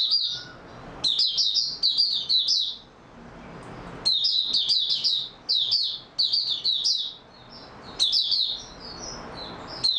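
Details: Oriental white-eye in steady singing form on 28 February 2022, delivering repeated high, rapid twittering phrases of slurred chirps, each about a second long, separated by short gaps, in a quiet setting.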